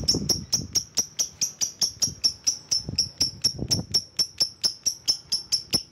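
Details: Lovebird calling rivals with a long run of sharp, high, clipped chips delivered steadily at about two per second, with light low knocking sounds beneath.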